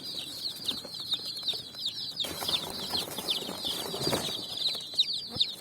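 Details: Colourful chicks jumping and running on sand at evening while finding food: continuous rapid, high-pitched peeping from many chicks, with short bright accents and light rustling underneath.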